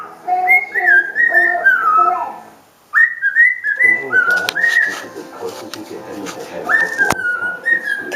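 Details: A pet cockatiel whistles clear, warbling phrases that slide up and down, with breaks between bursts, running through its whistles indoors while its owner coaxes it to talk.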